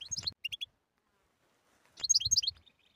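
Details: European goldfinch in captivity giving two short bursts of rapid, liquid twittering notes separated by a second of silence, with faint low knocking sounds beneath.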